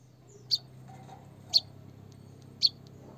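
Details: White-headed munia, used as a recording to coax a reluctant bird into singing: three short, thin, high chirps spaced about a second apart over a low steady hum.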